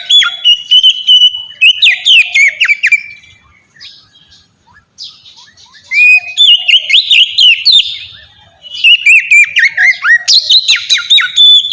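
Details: Oriental magpie-robin song meant as a lure for captive magpie-robins: three bouts of loud, varied whistles and twittering chatter, with pauses of a couple of seconds between them.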